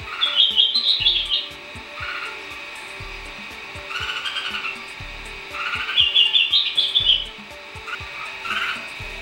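Bulbul giving bright, bubbly chattering phrases that rise and fall, repeated every few seconds, with faint background clatter and low mechanical noise.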